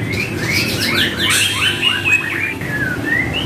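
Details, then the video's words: Murai batu, the white-rumped shama, singing in a training track: a fast cascade of downslurred whistles and chirps, followed by clear level and rising whistled notes, with a low hum behind. "Trek Murai Batu"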